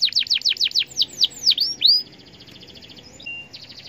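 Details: Canary singing to prompt other canaries into song: a series of quick high downslurred whistles speeding into looping sweeps, then a soft short trill and a flat whistled note.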